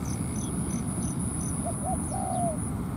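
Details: Spotted dove at a ground trap where a decoy draws a wild dove into a fight: one phrase of two brief notes and a drawn-out falling coo, with rhythmic insect pulses high above and constant low background noise.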